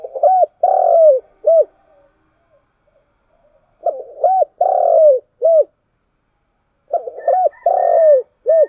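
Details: Morning call of a spotted dove, repeated three times with silent gaps: each phrase has short arched coos, a long sustained coo sliding gently downward, and a closing short coo.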